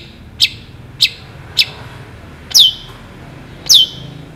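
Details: Long-tailed shrike singing keenly, a recording for tutoring shrikes: three sharp short ticks about half a second apart, then two longer high whistles sweeping steeply downward.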